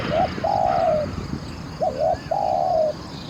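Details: Caged Spotted dove used as a decoy to lure wild doves into a trap, praised for a very good voice: two phrases, each a short hooked double note then a long, level, hoarse coo, with faint chirping birds behind.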